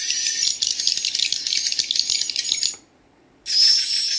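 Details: High, rattling chirps of swiftlet chicks from a playback, possibly mixed with adult swiftlet sounds, run densely for nearly three seconds, break off, then return loudly with a short rising whistle.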